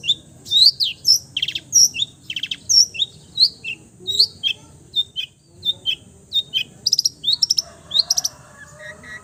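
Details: Long-tailed shrike in varied song imitating many other birds: a continuous medley of bright chirps, slurred whistles, buzzy bursts and short trills, with a lower warbling phrase near the end.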